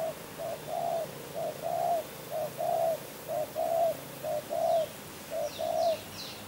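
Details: Spotted dove called tekukur, a champion bird from Kebon Kacang, cooing in regular pairs of a short note and a longer rounded one, about once a second, while another bird gives thin high chirps near the end.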